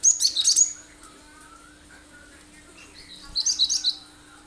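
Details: Cinereous tit in full sharp-shot song, used as a lure so other birds copy it; two bursts of five quick high notes separated by a pause, with a faint lower whistle in between.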